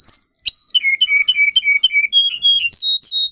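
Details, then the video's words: Training song of a Russian singing canary: a varied run of short whistled notes stepping downward, then rising again, each brief tone separated by quick clicks, clean and loud throughout. "Kanarya Sesi, Kanarya Ötüşü eğitimi, Corona Canary kanarya ötüşü"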